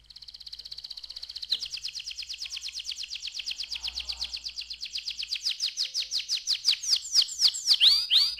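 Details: Canary song offered as a recording to get young canaries singing actively: a rapid, high buzzy trill that slowly swells in volume, then breaks into slower, louder sweeping downslurred notes near the end.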